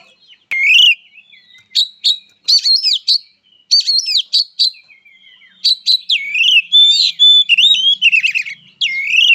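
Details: Oriental magpie-robin fighting song: loud sharp chips and rising whistled slurs, repeated in bursts with short gaps, building into a longer continuous run of varied whistles near the end.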